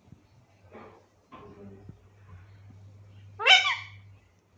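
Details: Alexandrine parakeet kept in a cage, trained to talk and said to repeat "mithu mithu"; a single loud, raspy, strongly harmonic burst near the end follows soft murmuring sounds over a steady low room hum.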